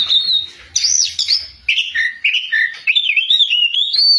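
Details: Oriental magpie-robin in loud song: a high whistled note, a looping upward swoop, then a run of short warbled notes climbing steadily in pitch toward the end.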